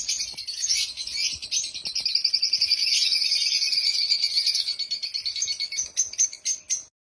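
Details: Loud, happy chirping of African lovebirds: a steady, rapid rattling chatter of high-pitched notes that runs for several seconds, then breaks into separate chirps before stopping.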